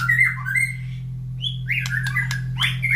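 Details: Morning after feeding, a caged White-rumped shama beside other breeding birds that reply excitedly: slurred whistles and a falling note, then a rising whistle and sharp chip-like calls, over a continuous low hum.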